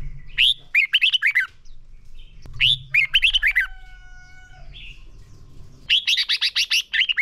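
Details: Red-whiskered bulbul singing a fighting-style song used to train caged birds: runs of rapid, chirpy whistled notes in short phrases, with a brief steady tonal sound midway and a low background hum.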